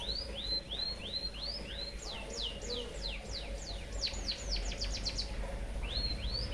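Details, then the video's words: Tutor song of a white-headed munia filled with canary phrases: a string of rising whistled upslurs, then a burst of falling sweeps that crowds into a quick trill. Rising whistles return near the end, over faint low background hum. "BURUNG EMPRIT HAJI FULL ISIAN KENARI BIKIN GOYANG GOYANG COCOK BUAT MASTERAN"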